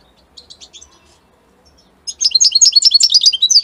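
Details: Italian European goldfinch: a few faint chirps, then a sudden burst of quick, bright twittering notes in a fast, jangling stream.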